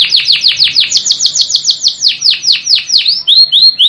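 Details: Canary singing on a training recording: a loud tour of rich, slurred downward whistles about four per second, switching at the end to thin rising whistles.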